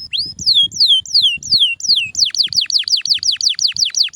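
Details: Canary singing a series of clear, steeply descending whistled notes, slower at first, then speeding into a rapid repeated run of swooping notes about three per second; clean recording with nothing else heard.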